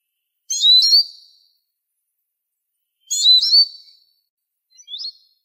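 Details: Eurasian siskin (Spinus spinus): two full chirp-and-whistle phrases about 2.5 seconds apart, followed by a softer, shorter whistled note near the end.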